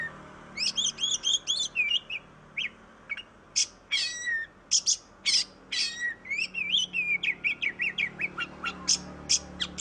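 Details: Oriental magpie-robin singing nonstop, a lure for lazy-singing birds: rapid high twittering phrases, scattered harsh buzzy notes, a clear downslurred whistle, and dense chattering toward the end.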